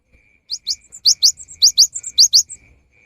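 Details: Cinereous tit singing energetically, used as a lure during the rainy season: rapid paired sharp, rising high notes repeated in quick groups, with brief higher buzzy notes between, over a steady faint whistle-like tone.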